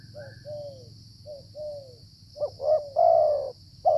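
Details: Wild spotted dove calling during the cold, rainy flood season while being lured with a decoy; a caller then is usually its area's dominant male. Soft low arched coos build to louder, longer coos, with a steady high electronic whine throughout.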